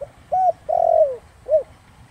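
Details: Spotted dove coo in the Thổ Đồng style, played to lure wild doves. One low phrase: an arched hoot, a long wavering note falling at its end, then a brief rounded coo. No other sounds.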